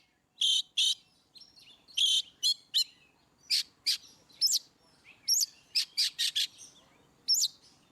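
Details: Oriental magpie-robin, ngeplong song style for prompting birds that seldom sing: loud harsh buzzy notes in pairs and clusters, interspersed with sharp upswept whistles, repeated irregularly over about eight seconds with a low hum behind.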